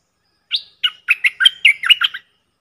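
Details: Decoy bulbuls, four birds calling in the forest, give a lively string of about eight bright chirping notes, bubbling and slightly varied in pitch, delivered in under two seconds against silence.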